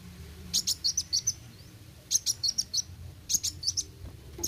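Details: Three quick bursts of high, piercing chirps from a sunbird, each a tight cluster of five or six notes separated by short pauses, low background hum.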